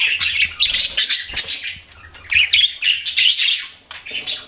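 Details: Pet budgies produce a dense, shrill warble of squeaks, chirps and grating buzzes, steady and loud throughout with one short drop near the end.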